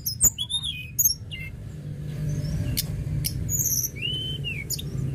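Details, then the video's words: Tledekan gunung, a lark, singing energetically: thin high whistles, sharp clicks and a smooth rising-then-falling slurred note near the end, over a steady low hum. "Tledekan gunung gacor"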